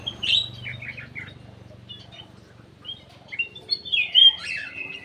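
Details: Caged bulbul in an aviary singing as a lure: opening loud chirps and short whistles, a quieter middle, then a rising run of clear whistled notes, with a low droning hum behind.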